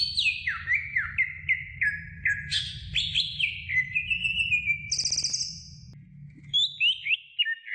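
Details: Greater green leafbird recorded for training other birds: a series of descending whistled slurs, a buzzy high rattle midway, then a pause and rising looping notes, with a low hum behind.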